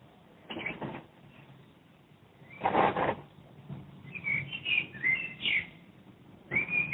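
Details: Common blackbird recorded from a window in Madrid, Spain: fluty whistled phrases around the upper-middle range, short and varied, separated by pauses, with bursts of broadband noise and a low background hum.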